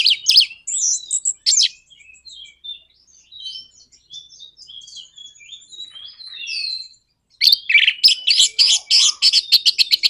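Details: Orange-headed thrush singing a 'nraktak konslet' song meant to provoke other birds into singing. A varied run of high, sliding whistles gives way to a fast, harsh rattling stutter of closely repeated notes.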